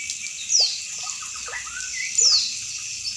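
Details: Trickling water accompanies a calling female Oriental white-eye, a recording used to perk up listless caged birds. Two thin, high, falling whistles sound about one and a half seconds apart, with faint low twitters between them.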